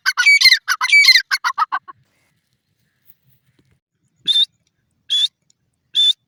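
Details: Grey francolin, known locally as Sindhi teetar, giving a rapid run of shrill, harsh notes that stops abruptly. After a two-second pause come three single high whistled notes, each about a second apart.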